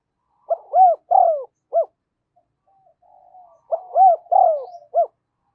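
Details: Spotted dove used as a lure bird, cooing to summon wild doves: two repeated phrases of three hollow coos each, a short note, a long swelling coo and a clipped final note, with soft murmuring between.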